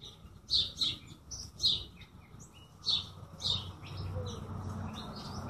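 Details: Bird chirping with paired bright high notes in a few bursts, over a steady low rumbling background that grows toward the end.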